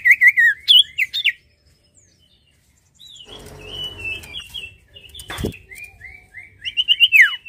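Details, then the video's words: Sirtu singing: bursts of high, twisting whistled notes, some wavering and trilled, broken by a silent gap, then a run of short repeated sliding whistles and a sharp downward sweep, with a low rustling and a bump in the middle. "PEMBUKTIAN SIRTU GACOR DENGAN INI"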